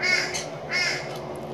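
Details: Two loud, harsh, grating screeches about half a second apart from rainbow lorikeets feeding in the late afternoon, followed by fainter sharp chips over a low background hum.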